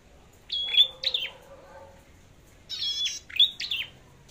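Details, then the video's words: Red-headed flowerpecker singing in competition style: two bursts of high, sharp chirps, each with a steady thin whistled tone and quick falling sweeps, separated by a pause of over a second. "Chim Sâu Đầu Đỏ Hót Đấu"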